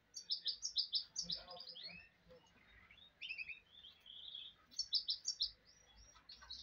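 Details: Goldfinch hybrid (mulet) singing: bursts of high, fast twittering and tinkling notes, several phrases broken by short pauses, over a faint background hiss.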